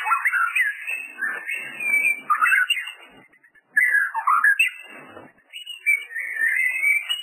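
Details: White-rumped shama lure recording: rich, fluty, fast-changing song phrases in two long bursts separated by a brief pause.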